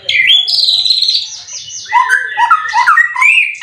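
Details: A caged white-rumped shama, a prize-winning competition songbird from Indonesia that has moulted three times, pours out rich whistled phrases: long high slurred notes at first, then quick lower warbling notes bouncing up and down.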